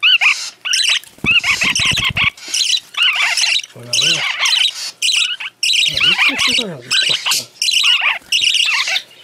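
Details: Tame hand-raised parakeets being spoon-fed, giving dense harsh squawking begging calls in rapid, overlapping bursts, with a few lower, stuttering notes and brief pauses.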